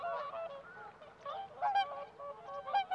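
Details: Whooper swans in winter in a flooded rice paddy near the Kabukuri-numa Ramsar wetland, Japan, give loud, bugling, nasal honks, several birds overlapping, with stronger trumpeting notes about once a second.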